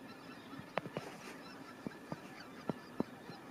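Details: Newly arrived greater white-fronted geese in spring 2019 at Kalvi village, Virumaa, Estonia, give distant short, high yelping calls, scattered irregularly about three a second, over a faint background hiss.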